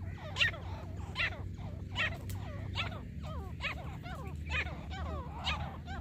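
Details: Grey francolin, locally called teetar, recorded during a partridge hunt: repeated ringing calls about every 0.8 seconds, each a harmonic note sweeping up and down through the mid to high range, over steady low rumbling background noise.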